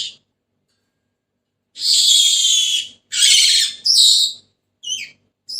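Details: After a quiet start, a Senegal parrot gives a long grating screech, two more harsh calls in quick succession, and a short squeaky note.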